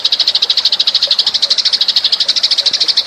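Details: A sparrow lure call of the Eurasian tree sparrow: an even, rapid string of high chirps, about three per second, running without pause as a rattling chatter.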